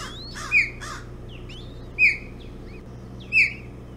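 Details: Early-morning breakfast at the Hog Island osprey nest, 11 June 2017, bullhead on the menu; loud whistled downslurred cries come three times, about every one and a half seconds, mixed with quicker chirps and a low hum.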